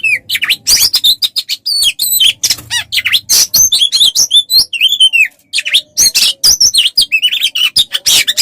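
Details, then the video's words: Oriental magpie-robin, recorded as a tutor for training songbirds: long, dense run of varied whistles, chattering notes and buzzy rasps, with a faint low hum in the background. "Masteran untuk burung Kacer"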